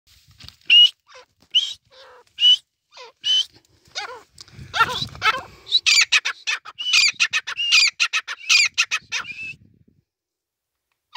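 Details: Wild grey francolin: loud, high, ringing notes spaced about a second apart, then quickening into a rapid, shrill series, with some lower harsh notes in between.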